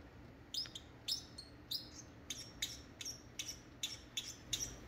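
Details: A Pacific parrotlet sings with sharp, high chirps and squeaky tweets, about one or two each second, during rain, with a soft, steady hiss in the background.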